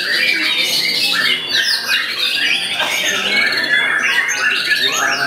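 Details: Caged White-rumped shama in a bowing posture, pouring out a large stock of imitated material from a single perch; strong, packed medley of rising and falling whistles and chattering trills without gaps.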